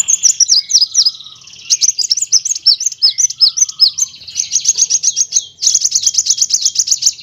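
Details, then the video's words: Van Hasselt's sunbird (kolibri wulung) used as a training recording, singing in nyrecet, nembak and ngerol styles: hurried high slurred chirps building into a steady, fast rolling trill that continues to the end. "MASTERAN KOLIBRI WULUNG, NYRECEKT NEMBAK, NGEROL BURUNG LANGSUNG GACOR"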